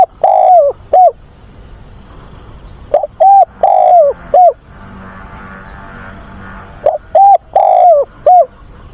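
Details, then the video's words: A spotted dove used as a decoy sings to attract a mate and excite wild doves. Three four-note cooing phrases come roughly every three to four seconds, each with a long sagging middle coo. Quiet pauses fall between them. "Cu mồi gáy gọi tìm bạn"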